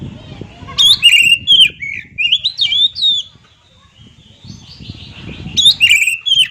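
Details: Oriental magpie-robin singing a varied string of whistled, slurred notes and sharp chips, with a brief quieter gap and then another burst. Low rumbling background noise runs throughout.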